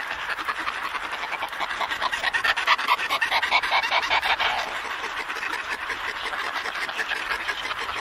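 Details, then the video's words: A pair of Antarctic petrels exchanging calls in a colony, Scullin Monolith, Antarctica, recorded close: a long stretch of rapid, panting, guttural cackles, swelling louder midway and then steadying, a little over two per second. "Antarctic Petrel / CU Calls Between A Pair In Colony"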